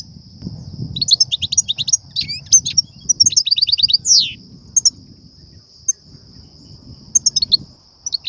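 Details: European goldfinch song of the type called بتبتة وستستة, used by trappers to excite goldfinches and lure them to nets: bright, fast twittering runs of high, sharp notes, with a rising sweep and short pauses, over a faint low hum.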